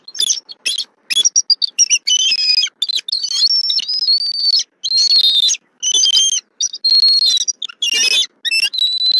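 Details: Female bald eagle at a Southwest Florida nest on 2024-11-23, vocalizing loudly as the male delivers a fish: dense, high, whistled chittering notes with bright harmonics, tumbling in rapid bursts and squeals almost without pause for nine seconds.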